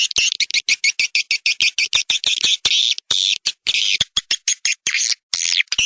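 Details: Edible-nest swiftlet lure sound: evenly spaced dry clicks, roughly two per second, alternating with short buzzy high chirps, some longer twittering bursts and a few gaps of silence.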